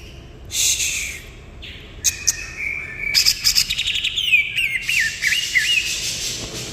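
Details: Greater green leafbird singing: a mix of sharp chirps, buzzy notes and rapid warbled twitters, then a looping whistled phrase near the end, with a noisy background.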